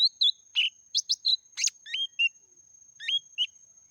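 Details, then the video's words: A lesser green leafbird in meratoh song opens with crisp chips and buzzy bursts, then gives two pairs of upward-sweeping whistled notes separated by a short gap; a faint high steady tone runs underneath. "Suara burung daun kecik meratoh"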